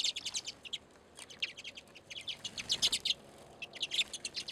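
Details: Feeding redpolls on a back deck in Anchorage, Alaska, in February give clusters of short, high zapping chirps separated by brief quiet spells, the busiest burst near the three-second mark.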